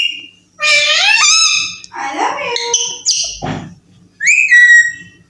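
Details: Baby Alexandrine parakeet that talks and says "I love you", uttering long, rich, voice-like notes that slide upward, then choppy speech-like syllables, a pause, and a final rising whistled phrase over a soft background hum.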